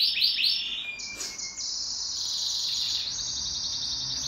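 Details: Pet canary in duet song, opening with quick swooping chirps, then a sustained high rolling trill of rapid repeated notes.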